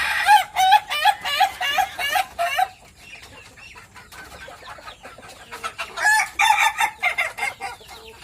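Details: Laughing-chicken rooster from Meulaboh cackling in its ngokok style: a rapid run of even, repeated notes, a pause, then a second shorter burst of cackles.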